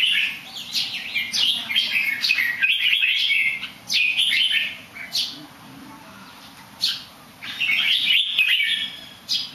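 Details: Bird that sings well but somersaults a bit pours out rapid chattering whistled phrases in dense bursts, broken by quieter spells, over a faint steady hum.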